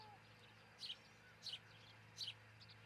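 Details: Nesting osprey at a Charlo, Montana nest cam, early morning of June 22, 2018; three sharp, high, two-part descending chirps in quick sequence above a constant low hum.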